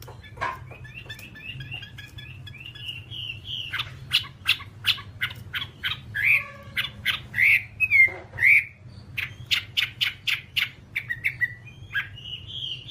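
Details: Whambie from a one-hour nonstop master recording: soft whistles, then a long run of harsh, clipped squawking notes about two per second, with a few louder rising slurs.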